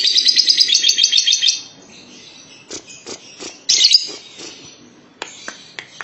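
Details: Lovebird giving a long trill: a rapid, even run of bright, high chattering notes for about a second and a half, then scattered sharp chirps and clicks that trail off more softly.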